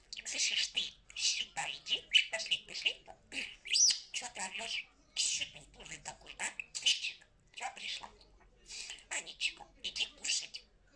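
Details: Pet parrot talking, producing rapid bursts of speech-like chattering syllables broken by short pauses, with sharp squeaky notes among the words.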